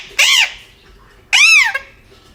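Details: Aggressive pet parrot kept indoors giving two loud, harsh, arched squawks about a second apart, each lasting under half a second, in a quiet room.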